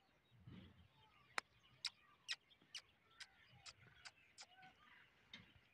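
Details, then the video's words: Female red-vented bulbul giving sharp, clipped chip notes, about two each second, over soft low rustling and faint background chatter. "bulbal ke awaz"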